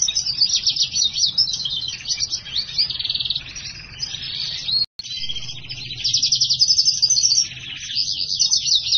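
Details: Black-hooded siskin x house finch hybrid singing vigorously. It pours out quick rattling trills and buzzy phrases about four per second, with a brief silent break near five seconds before the twittering resumes.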